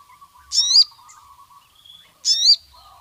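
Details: Crimson sunbird, known locally as sogon, sounding off to call rival males. Two short, bright chattering bursts come about 1.7 seconds apart, with a steady low hum and faint scattered notes between them.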